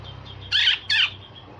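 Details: Cucak jenggot, the grey-cheeked bulbul, in coarse rasping song used as a tutor for other songbirds. Two loud, broad, scratchy rasps follow one another quickly, with a steady low hum behind.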